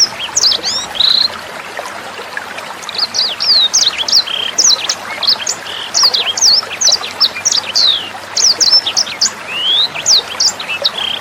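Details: Sanger bird tutor song: energetic strings of thin, high whistled chirps, many sharply up- or down-slurred, pouring out in fast clusters while water trickles softly behind.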